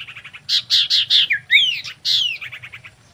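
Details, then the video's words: Mating song of a female common iora used to attract other birds: quick high chips lead into loud buzzy notes and an upward swooping whistle, then more rapid chips fading out. "SIRTU GACOR KAWIN BIKIN EMOSI SEMUA SIRTU/CIPOH GACOR!"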